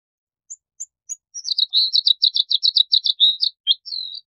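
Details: Bluethroat (Luscinia svecica) song: three thin high ticks, then a rapid run of sharp, metallic, chattering notes ending in a few twangy phrases.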